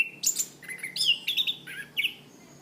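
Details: Orange-banded thrush, a Southeast Asian forest thrush popular as a cage bird, singing on a training tape: a steady opening whistle, then a lively string of bright whistled and warbled phrases, some dipping lower.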